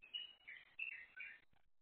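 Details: Crested myna pair calling to each other, one feeding while the other keeps watch; faint, quick series of four or five chirped notes, alternating higher and lower, with a dull background hiss.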